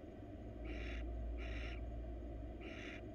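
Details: Three short, harsh hissing bursts from a wild female barn owl seeking attention in a monitored nest box, with a low background hum throughout.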